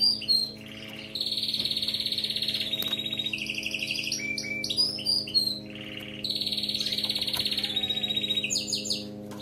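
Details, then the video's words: Canary song for training a pet bird to sing continuously: an unbroken run of high buzzy rolls and trills that shift pitch between phrases, with quick chirps between them and a brief pause midway. "صوت كناري مذهل لتدريب وجعل طائرك الكناري يغرد بلا توقف canary singing training bird"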